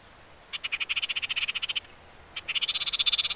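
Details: Common iora sound used as a lure to excite birds into singing: a rapid series of buzzy high pulses lasting over a second, a brief pause, then a faster, higher and louder pulsed trill.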